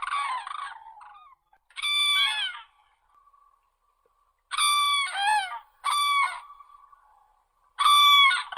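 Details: Crane uttering loud, bugling calls in short clusters separated by quiet spells, each note ringing and slightly falling, with a faint sustained tone between calls.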